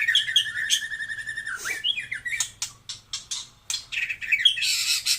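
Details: Taiwan-type white-rumped shama with steady whistled phrases, a short swooping note, then a series of sharp clicks and bursts of harsh high chatter.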